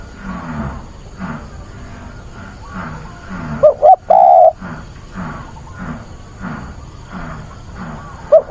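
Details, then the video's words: Spotted dove decoy, calling on 24 August to find a mate and stir wild doves, gives one loud phrase of two short coos and a long coo midway, over a steady pulsing low background sound and a cut-off coo at the end. "Cu mồi gáy gọi tìm bạn, giọng bổi kích thích bổi lỡ"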